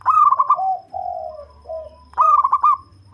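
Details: Zebra dove, a local bird with a deep voice suited to luring others: a loud stuttered cooing burst, several lower smooth coos, then a second loud stuttering burst.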